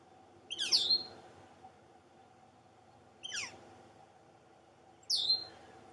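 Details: A juvenile Northern Flicker calling from its nest hole in a snag at Entrance Pond, its two siblings possibly already fledged, gives three high, harsh, downslurred calls about two seconds apart over a faint steady hum.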